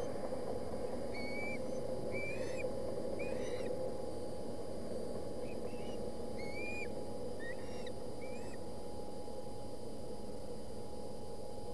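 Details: Boulder County osprey nest, 20 August, young contesting a fish dropped by their father; sharp whistled chirps rising then curling down, given in loose pairs and singles, with a constant low hum beneath.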